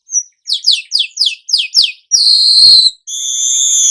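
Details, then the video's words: Weaver song in the 'gacor nyerut' style: a run of seven quick, high descending chirps, then two long, sizzling buzzy notes with a short pause between them. "burung manyar anda akan jadi GACOR NYERUT"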